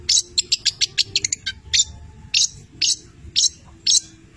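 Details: Long-tailed shrike, 'petir' style, from Cililin, singing hard with mimicked labet and canary phrases; a rapid train of sharp, high chips, then loud rasping notes repeated roughly every half second.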